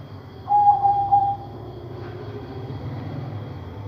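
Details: Katuranggan majapahit zebra dove with an unusual voice, different from typical zebra doves, delivers one cooing phrase of three quick pulsed notes on a steady mid pitch, followed by a steady hum and faint background noise.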